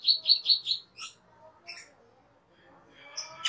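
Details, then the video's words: A cucak keling (cucak kerling) sings as a master song for training other birds: four quick high chirps in a rapid run, then scattered sharper notes and a brief buzzy phrase near the end. "SUARA MASTERAN CUCAK KELING/KERLING"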